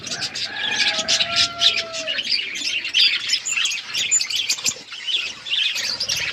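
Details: Budgies chatter over their food in fast, high scratchy twitters, with a pair of steady lower whistled tones early on and continuous busy chirping throughout.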